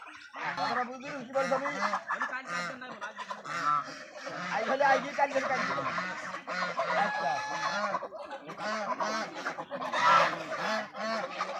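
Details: Raj duck flock on a farm keeps up a steady, noisy stream of harsh nasal honks, short calls tumbling over one another for the full stretch with some higher squeaky notes mixed in.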